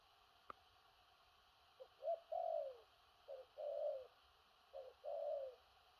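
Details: Spotted dove in the thổ rặc cooing style, a large-bodied bird: three hollow low phrases, each a short stuttered note leading into a longer drawn-out coo that slides downward. One sharp click early on, otherwise quiet.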